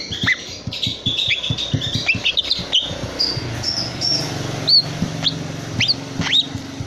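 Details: Three-month-old long-tailed shrike, a young captive bird, still calling after losing its plucked tail feathers: scratchy chattering notes, then clearer upward-sweeping whistles repeated about once a second, with low knocking sounds underneath.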